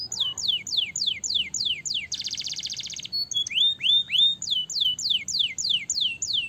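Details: Song of a canary intended to stimulate other birds into singing: a rhythmic string of downward-sweeping whistles, a brief intense buzzy trill, several upward-curving notes, then the falling whistles resume at an even pace.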